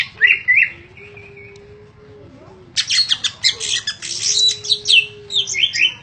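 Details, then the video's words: Caged greater green leafbird, kept for song contests and in 'ngentrok' form, delivers an 'isian'-filled song. Two short whistled phrases precede a near-silent pause, followed by a long burst of loud, harsh, squawky, twittering notes high in pitch, over a faint hum. "Cucak ijo"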